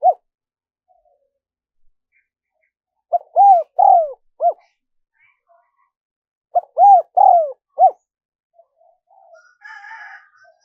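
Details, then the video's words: Spotted dove luring call: two mellow cooing phrases about three and a half seconds apart, each a short note, paired arched coos and a falling drawn-out hoot, ending with soft buzzy chatter. "Tiếng chim cu gáy mp3 dùng kích bổi hiệu quả nhất"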